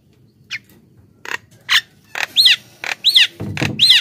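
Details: Javan myna lure song, used to draw wild mynas and set off other mynas: harsh, scratchy bursts mixed with arched, bright whistles, roughly twice a second, growing louder toward the end.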